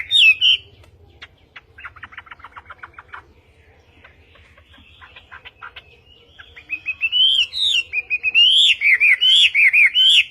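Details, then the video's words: Chinese hwamei, called western hwamei, in Vietnamese-style song: opens with soft dry clicking and rattling notes, then after about six seconds breaks into loud looping whistles that rise and fall rapidly. "HỌA MI TÂY - TIẾNG HÓT VIỆT"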